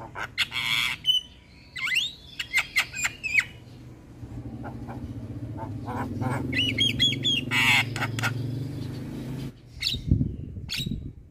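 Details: Javan myna (jalak kebo) in full, lively song packed with varied phrases, meant to excite other mynas: harsh broadband bursts and short rising whistles in quick clusters, then a quieter stretch over a steady low hum, ending with scratchy notes.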